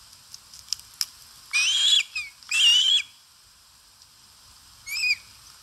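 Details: Osprey eating at a nest in Satakunta, Finland, 4 August 2022, recorded by a live camera; two long rising whistled calls back to back, a pause of two seconds, then a shorter falling whistle.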